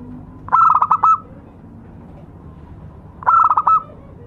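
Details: Lure call of a local zebra dove, two stuttering cooing phrases almost three seconds apart, each a rapid run of clipped notes trailing into a short steady tone, with faint low background noise.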